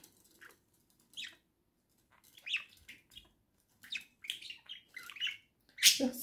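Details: Warbling chatter from a pet budgerigar pair in a cage, November 2024: scattered bursts of buzzy chirps and squeaks separated by short silences, ending with a loud harsh screech.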